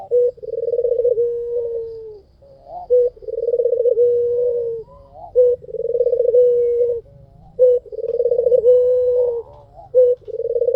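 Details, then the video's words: Lure recording of a white Barbary dove singing at full strength: rolling, throbbing coos, each ending in a drawn-out low note, given about every two and a half seconds with short clipped notes between. "SUARA PUTER PUTIH FULL GACOR || PANCINGAN AMPUH"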